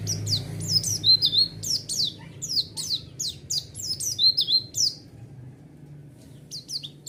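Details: White-eye song used to lure and provoke a response: thin high chirps and short falling whistles in fast clusters, thinning out toward the end, over a low hum.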